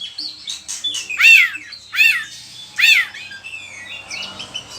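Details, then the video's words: Oriental magpie-robin (kacer) singing vigorously, used as a lure to stir other kacer and as tutor song: three loud arched whistled notes about every 0.8 seconds, between softer twittering phrases. "Pancingan suara kacer gacor, bongkar isian burung"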